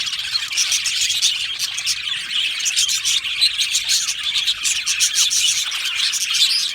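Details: Budgerigar colony in an aviary, many birds chirping and singing together; rapid, overlapping bright tweets and buzzy warbles form a steady high chatter throughout.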